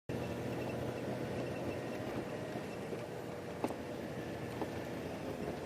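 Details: Steady vehicle rumble and hiss on a sunrise safari drive, broken by a single sharp click, with no animal calls.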